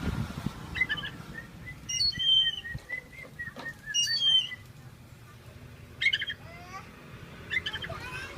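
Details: Caged Oriental magpie-robin, lively while its cage is shaken, giving a run of short, evenly pitched chirped notes mixed with sharp high flicks and trills, against a constant low rumble.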